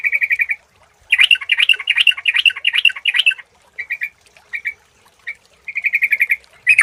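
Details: Sooty-headed bulbul lure song: a rapid run of repeated bright notes, then a stretch of jumbled bubbling chatter, scattered single chirps and another fast repeated series.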